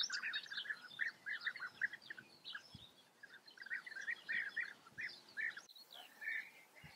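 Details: European bee-eaters observed in the Eifel region of Germany: repeated short, burry rolling calls, several birds overlapping then thinning out into spaced single notes, over a steady hiss of outdoor background noise.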